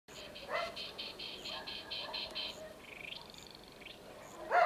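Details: A male African chaffinch in Ceuta sings a quick run of about eight bright, evenly spaced notes, then a thinner rising flourish. A few short louder noises break in at the start and end.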